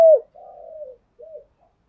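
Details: Spotted dove cooing, used as a lure to excite and train decoy birds: a clipped opening click, then a soft, low, hollow drawn-out coo and a brief rounded final note over near silence.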